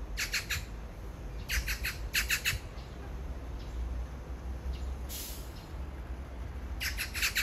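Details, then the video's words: Magpie calling out to its beloved a few metres away: repeated bursts of rapid, harsh, rattling chatter, three to four notes each, a gap with a brief rustling noise, then another chattering burst. "까치의 사랑(몇 미터 옆에다 두고)"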